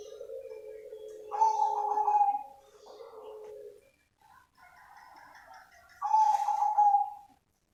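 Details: A cemani zebra dove (perkutut), a live recording rather than an MP3, coos in two rounds: a low, steady hum leaping into a brighter, purring trill, with a short pause between.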